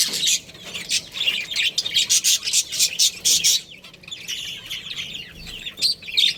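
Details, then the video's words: Budgerigar breeding pair within a colony, a loud run of rapid, piercing chirps for the first three and a half seconds, easing into softer chatter with a few sharp notes at the end. "Cute Budgies Chirping Sounds"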